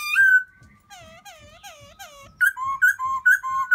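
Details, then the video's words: Black-throated laughingthrush calling out for a new mate in springtime: a loud drawn-out whistle, then a series of curved, harmonic-rich whistled notes, ending in quick bouncing two-note whistles repeated about every half second. "Black throated laughing thrush welcoming Springtime"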